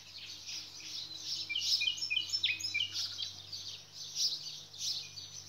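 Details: Nightingale singing amid nature sounds: a dense, continuous stream of high twittering and warbled notes with short rapid bursts, over a steady faint low hum.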